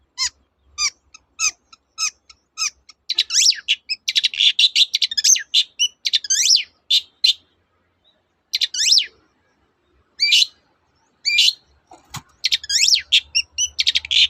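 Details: Long-tailed shrike song meant to coax silent shrikes into singing: widely spaced thin high notes that build into bursts of varied, sweeping whistles and chatter, with pauses between phrases and a dense twittering finish.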